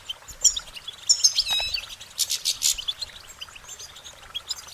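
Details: Goldfinch song with high, liquid twittering notes, overlaid by several loud, harsh rasping bursts near the middle, then fading into softer chirps.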